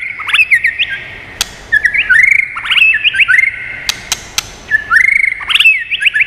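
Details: Stimulating, many-voiced song of a White-rumped shama: repeated phrases of loud, ringing whistles with hooked upward slurs, about four phrases, interrupted by dry snapping clicks.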